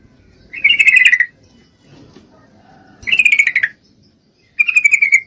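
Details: Calling to a male, a breeding-condition female Yellow-vented Bulbul gives three bubbly, slightly falling chatters, each under a second long and spaced by pauses, over faint background hum.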